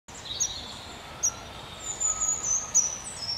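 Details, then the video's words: Long-tailed tits, a pair building their nest beside the JNQ lake in the New Forest, England, give thin, very high calls: short sharp notes, then a run of clustered high twitters near the end over quiet background. "Long-Tailed Tit - Nest Building"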